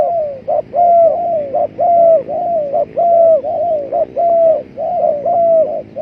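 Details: Lure recording of spotted dove for trapping: continuous run of mellow cooing, paired short-then-long notes repeated roughly every second with little pause, the long coo held steady then dropping at the end.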